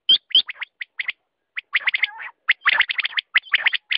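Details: Quail calling: two loud hooked chirps open a burst of clustered high notes, with a short pause, a brief low warbling phrase, then dense chirping to the end.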